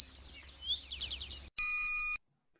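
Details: Prairie Warbler song, each phrase pitched a little higher until it starts over: a quick run of high, buzzy notes stepping upward, followed by a short steady electronic tone.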